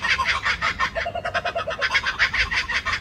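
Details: Laughing kookaburras in suburban Sydney, Australia, give a loud, chaotic chorus of raucous, cackling notes that rise and fall in rapid bursts, with a short run of lower, evenly spaced hoots partway through.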